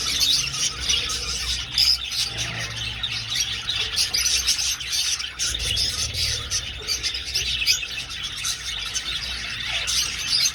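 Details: A flock of budgies moving through an old aviary keeps up constant high, bubbly chattering and squeaks over about ten seconds, loudness rising and falling slightly.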